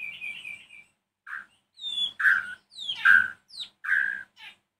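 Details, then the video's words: Evening song of a white-rumped shama meant to stir other shamas into replying: a fast run of loud, rich, slurred whistles and sharp rising notes, several phrases packed closely together with brief gaps. "Kicau Murai Batu Sore hari bikin murai lain nyahut emosi"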